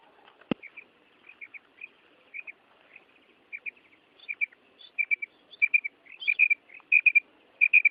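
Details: Female common quail giving a steady run of high clipped notes in pairs and triplets, roughly every two-thirds of a second, getting stronger over the clip, with a sharp click near the start.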